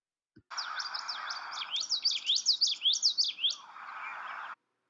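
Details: A Common Yellowthroat at Schmeeckle Reserve, central Wisconsin, during spring warbler migration, sings a quick series of high, sweeping, repeated notes, about eight in two seconds, over a steady lower hum.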